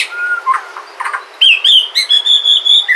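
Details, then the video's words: White-rumped shama from Sumatra, song meant to prompt other shamas into singing: scattered soft warbles and chips, then a bright, high whistled phrase held with pulsing, repeated notes. "Pancingan suara murai batu asli sumatra"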